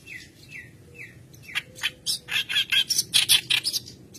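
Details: White-browed reed warbler singing persistently, used as a lure to train other birds. Three falling slurred notes, then a fast run of harsh, scratchy chattering bursts over a low background hum.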